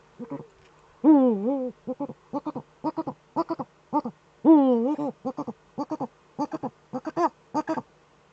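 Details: Eurasian eagle-owls in a breeding niche, filmed by webcam on 26 February 2013 during mating, twittering. Low, nasal, clipped notes in quick series, broken by two longer wavering, drawn-out calls.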